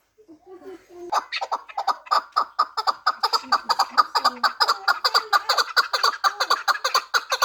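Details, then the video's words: Pamir chukar partridge, a four-year-old fighting and hunting bird, breaking after a second of soft murmuring into a long run of loud, clipped chuck notes, roughly two per second, steady and insistent. "Кабки Помир"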